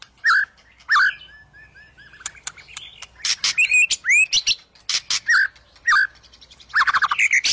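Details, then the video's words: A white-rumped shama sings, used to lure quiet shamas into song: loud whistled phrases alternating with crisp clicks, twisting rising slurs and quick stuttering trills, spaced by short pauses. "Suara Burung Murai Batu untuk memancing murai batu yang males bunyi"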